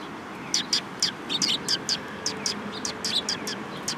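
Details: Sparrows approaching for food at Mizukami Bridge, 18 May 2021: a continuous series of quick, piercing chirps, often doubled, repeated about every quarter second throughout, with soft low hum behind.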